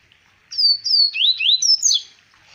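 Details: Double-collared seedeater, Arapiraca, Alagoas, 2020: a single clear phrase of about six rapid, high, ringing whistles, some sliding down and others swooping upward, loud against an almost silent background.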